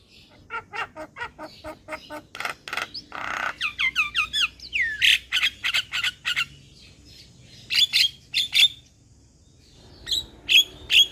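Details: Lure starling (jalak pikatan) to prompt a quiet caged starling to sing: long runs of rapid harsh squawks and squeaky chirps, with sharp repeated notes continuing into the later part.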